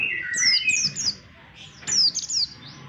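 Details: Oriental white-eye song used as a lure for trapping birds: high, thin descending whistled phrases, a bright burst at the start and another near two seconds, with a fainter low murmur beneath.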